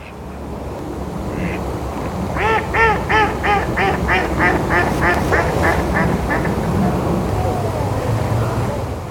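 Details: Mallards bathing near a hide at The Vyne in Hampshire on an autumn walk, their calls likened to laughing; a descending series of about nine loud nasal quacks, quickening then fading, over a rushing background of water and wind.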